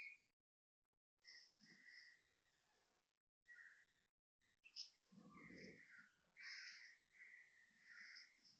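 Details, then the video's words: Asian koel at 6.55am on 30 January 2026 in Toa Payoh, Singapore, giving loud, repeated whistled notes in phrases lasting one to two seconds, with a brief low rumble partway through. "Loud koel noises"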